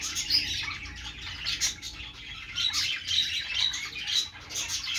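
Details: Budgerigars singing on a perch: dense, bright chattering warble of quick chirps and squeaky notes, rising and falling in bursts, with a faint low hum beneath.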